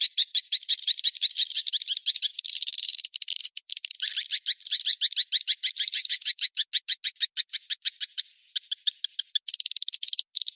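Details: Swiftlet lure sound of the mating-chase kind. Dense rattling high chirping at first, then a long run of clipped, evenly spaced clicks, about three per second, with a short buzzy burst near the end.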